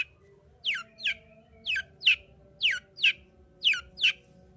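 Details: Long-tailed shrike in vigorous song, played to provoke a silent shrike: paired downslurred whistles with a scratchy edge, repeated steadily about once a second, over a low background hum.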